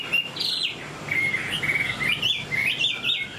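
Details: Captive Chinese Hwamei singing at length: loud, varied whistled phrases sliding up and down, rich warbling notes in quick succession with little pause.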